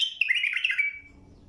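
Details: Bulbul song phrase used for tutoring young birds: one rich, gurgling warble lasting about a second, fading into a thin trailing whistle.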